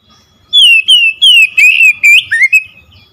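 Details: Oriental magpie-robin song played as a lure to make a silent bird start singing: six loud, clear whistled phrases, the first three long and gently falling, then shorter buzzier slurs ending in a rising note, with no other sounds.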